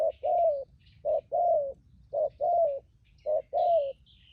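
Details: Wild-caught spotted dove kept as a lure for trapping, giving three unhurried pairs of soft, hollow coos, a brief note leading into a longer sliding one, with a thin high whistle from another bird near the end.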